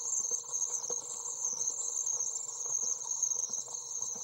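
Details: Common Swift young, 24 days old, fed inside a nest box in June 2012, giving an unbroken, piercingly high, insect-like buzzy trill, steady in pitch, over faint tapping and rustling from the nest.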